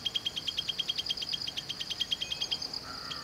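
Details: Jungle prinia at Valley School, Bangalore, Karnataka, India: a rapid, even series of high, sharp ticking notes, about three per second, continuing for over two seconds, followed by a brief lower whistled note from another bird.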